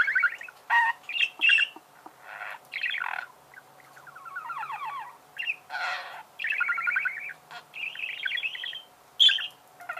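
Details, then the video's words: Budgerigar chirping in quick, scratchy phrases: harsh squawks, buzzy trills and bright whistled notes mixed in bursts with brief pauses, a thin constant hum underneath. "Чирикает волнистый попугай"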